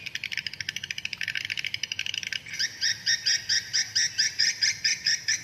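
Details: Swiftlets chasing one another, in a swiftlet lure recording with tempo-manipulated chase sounds: high, dry clicking trills, first a fast rattle of pulses, then slower repeated buzzy bursts about twice a second.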